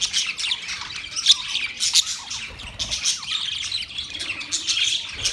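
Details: A group of budgerigars giving steady high twittering and scratchy chirps, with several sharper squeaky peaks standing out.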